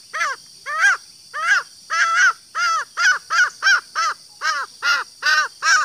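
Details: Female green junglefowl giving a lure call for males: a rhythmic run of about fifteen short, arched, nasal clucking notes, speeding up slightly toward the middle, evenly loud throughout.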